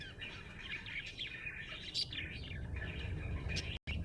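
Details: Budgerigar chirping happily, a run of quick slurred whistles and chatter over a fairly strong low rumble, cut by a brief silent gap just before the end.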